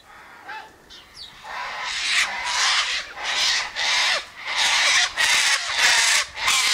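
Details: Sulphur-crested cockatoos in a flock by an eastern gate, feeding on tossed sunflower seeds, wheat and birdseed; after a quiet start, harsh, raspy, broadband screeches erupt and repeat in quick, uneven bursts from several birds.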